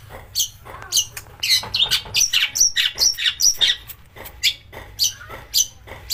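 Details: Provoking song of a long-tailed shrike, rich in harsh bursts and mimicked master birds: scattered sharp notes build to a busy stretch of high, squeaky chirps and slurred whistles, then thin out again.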